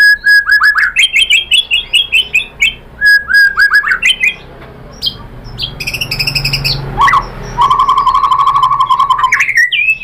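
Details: White-rumped shama song played to provoke other shamas into singing: rapid runs of repeated chirps around mid pitch, a pause with low background hum, then a long series of quick even notes rising at the end.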